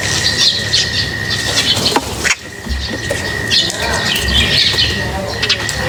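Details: Busy high twittering from birds being fed, bright chirps repeating in quick bursts with a brief pause midway, accompanied by a steady electrical-sounding hum and occasional soft thuds.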